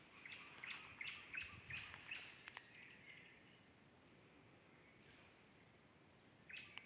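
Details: Common nightingale singing in a rural garden beside a forest edge, said to sing while building its nest; short bright repeated notes at a fast even pace for about three seconds, then quiet, with a brief phrase near the end.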